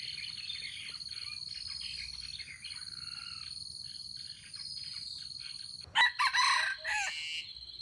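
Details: In the morning, a junglefowl gives a loud, harsh, broken crow of several quick parts near the end, after steady high thin tones and scattered bird chirps.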